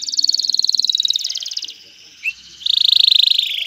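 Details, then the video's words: A male canary trills to stimulate a female to mate and nest: a fast even trill slowly dropping in pitch, a brief pause with a short chirp, then another rapid trill. "اقوى تغريد ذكر الكناري لتجهيز انثى الكناري للتزاوج و تحفّزها على بناء العش"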